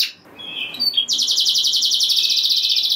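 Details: Canary song used to provoke other canaries to sing: a few short chirps and a brief whistle, then from one second a steady, very rapid high trill of evenly spaced pulses held to the end.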